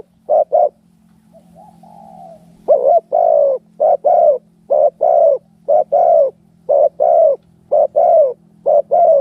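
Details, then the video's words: Spotted doves in a fight give a short double coo, a faint drawn-out coo, then a long run of loud, clipped cooing notes in twos and threes at a steady quick pace. "เสียงนกเขาใหญ่ ต่อสู้กัน"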